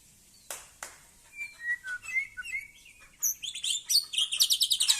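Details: Aceh white-rumped shama singing in competition: two sharp clicks, then short whistled slurs, then a fast run of very high, thin, repeated trilled notes that grows louder toward the end.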